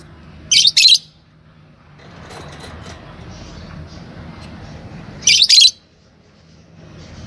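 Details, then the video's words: Fischer's lovebird pair, normal green, uttering a harsh doubled chirp, then after roughly four seconds of faint background murmur another doubled, shrill chirp. "Lovebird Talking & Chirping Sound – Green Fisher Pair"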